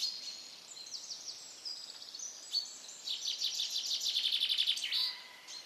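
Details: Common terns at their raft nesting colony in Dachau, Germany: scattered high thin calls building into a dense rapid chattering run of harsh notes near the end.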